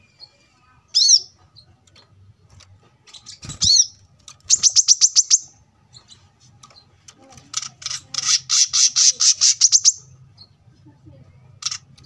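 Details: Brown-throated sunbird (kolibri kelapa) singing in gacor style, a masteran recording for training cage birds, made at a roadside home: two sharp down-slurred notes, then fast high buzzy trills of repeated notes, with faint low traffic hum.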